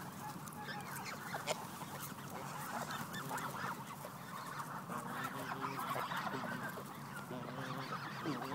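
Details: Hungry Canada geese honking in a dense, overlapping chorus: rapid, irregular nasal honks run without pause across the whole stretch, layered over steady background noise.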